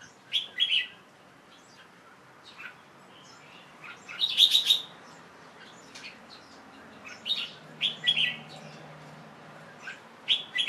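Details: Late afternoon on 1 January 2012, a young caged Red-whiskered Bulbul covered to rest after bathing; sparse bright chirps and whistled phrases spaced by pauses, quiet background.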